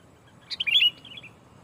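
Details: Sooty-headed bulbul singing to lure rivals: one quick phrase of bright, slurred whistled notes followed by a softer trailing twitter.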